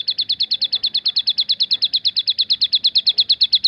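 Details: Javan sunbird giving the 'tembakan' song variation, a fast, even string of short, high, clipped chirps repeated about three times per second throughout, with no other clear sounds.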